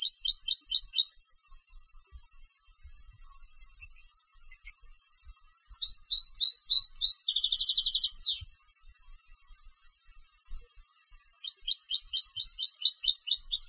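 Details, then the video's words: European goldfinch, a competition bird, delivering three bursts of rapid liquid twittering, the middle burst closing with a dense buzzing trill that sweeps downward, separated by quiet pauses of several seconds. "Canto del Jilguero de Concurso"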